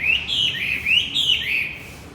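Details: Male-stimulating lure song of the Javan white-eye: quick rising and falling chirpy twitters in close succession, clear and high, over a quiet background.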